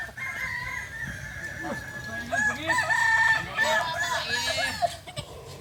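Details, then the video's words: Kokok Balenggek cockerel, a breed native to Solok in West Sumatra, recorded at a practice contest: a continuous chain of short, bouncing crow syllables stepping up and down in pitch, with lower-pitched crowing beneath and a few clicks near the end. "Latberan ayam kukuak balenggek.. ayam asli solok sumatera barat"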